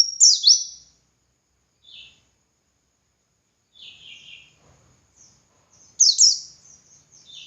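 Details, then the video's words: Dakun white-eye giving ngalas-style song meant as master material for other white-eyes: scattered, brief high twittering bursts with soft lower chips between them and longer quiet gaps, in an otherwise silent background. "Masteran Suara Burung Pleci Gacor Ngalas Nembak Buka Paruh"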